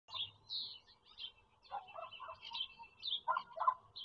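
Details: Bald eagle at a Pennsylvania farm-country nest holding four eaglets, picked up by a nest camera on April 4, 2022: short chirping notes in a higher band alternate with lower, rougher bursts, in irregular clusters over four seconds, with faint background hiss.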